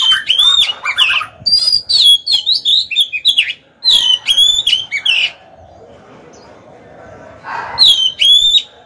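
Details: Oriental magpie-robin decoy bird singing to provoke rival males and lure them into fighting: loud clear whistled phrases with sliding, looping notes, delivered in bursts with short gaps and a quiet pause before a final phrase.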